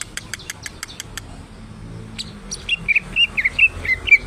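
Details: Cucak ijo (greater green leafbird), a kept songbird in full voice: rapid clicking taps first, then a fast series of bright, slurred whistled notes, several per second.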